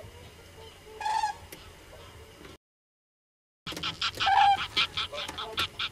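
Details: Numerous common cranes calling: loud, harmonic-rich trumpeting notes, one burst early on, then after a brief silent gap a denser run of overlapping, repeated calls, with clicking background noise throughout.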